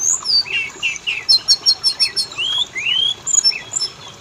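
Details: Kacer lure song, Oriental magpie-robin, for getting males and females to sing: rising slurred whistles and a rapid run of repeated high clicks, ending in scattered chirps.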